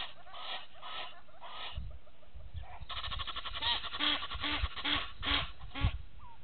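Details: Egyptian goose pair at a waterhole in Djuma Game Reserve, Sabi Sand, South Africa, early morning: loud rasping honks in quick rhythmic series, with nasal pulsed notes and low background rumble.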